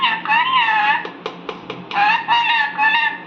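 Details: An Indian ringneck parakeet talks in a nasal, wavering voice, repeating "cookie cookie", two phrases of harmonic, speech-like syllables broken by a few sharp clicks in between.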